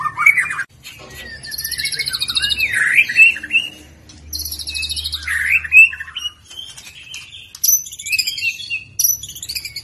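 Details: Young caged white-rumped shama singing loosely spaced phrases of high chattering trills and swooping whistled notes, with a faint low hum behind.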